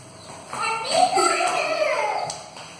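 A white cockatoo gives a run of harsh, voice-like, speech-ish syllables lasting about two seconds, with wavering pitch, indoors.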